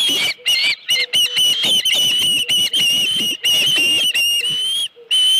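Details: Osprey at a ranch nest on 31 July 2018, around a headless fish brought in at 9:43 AM; loud, high whistled notes with bright overtones, held and slightly wavering, broken by brief pauses, with a faint low tone underneath.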